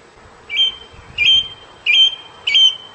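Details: Song thrush song: a bright whistled phrase, slightly rising then level, is repeated four times at even intervals, with faint low rumbling in the background.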